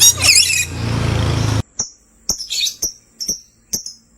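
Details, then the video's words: Sky blue opaline and green opaline lovebirds giving a loud, rasping chatter, then a series of sharp, high chirps spaced roughly every half second. "Lovebirds chirping sounds"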